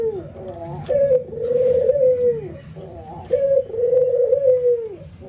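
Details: White albino and local ringneck doves training to call, nodding and laughing; two matched phrases, each a short clear note then a long vibrating coo that sags at its end, about two seconds apart.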